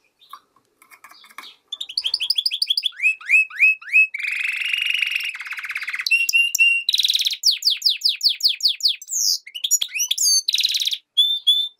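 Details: Hybrid of European goldfinch and canary in full song, a long varied run of rapid trills, sweeping chirps and buzzy rolls that change every second or two, with short clear whistled notes near the end.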